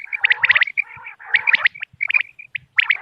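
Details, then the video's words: Common quail calls for luring birds on moonlit nights: quick strings of bright chirps over a lower, rasping, growl-like tone, in two or three short bursts. "بٹیر کی آواز چاندنی رات کیلئے quail bird sounds for hunting common quail bird bater"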